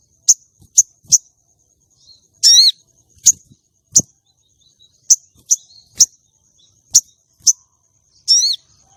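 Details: Female common iora luring and arousing male contest birds: a series of quick piercing high chips spaced about half a second to a second apart, broken twice by longer falling, layered whistled notes, with a faint constant high tone.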